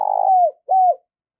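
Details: Spotted dove used as a decoy, calling to lure wild doves: two smooth, low cooing notes, the first longer with a slight flutter at its start, both gently falling at the end, in a quiet background.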